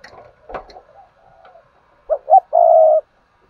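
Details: Spotted dove used as a decoy to get newly caught doves cooing: faint soft notes, then a loud coo phrase of two short rising notes and a long steady low hooted note.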